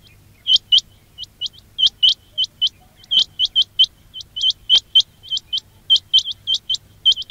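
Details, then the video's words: Quail calling, recorded as a lure for quail trapping. Near-continuous upward-flicked whistled notes arrive in close pairs and triplets throughout, with a soft low drone in the background. "quail batair ki awaz"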